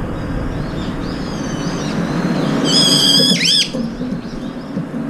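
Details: One loud, drawn-out, harsh Brown-eared bulbul call, a level ringing screech ending in a sharp downward sweep, while several birds feed together and sometimes fight over food; fainter calls and low background hum around it.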